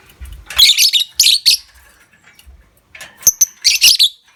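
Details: Lovebird lure sound for prompting long trills in other lovebirds: clustered bursts of very high, rasping chatter, a short pause, then sharp clicks and another shrill burst.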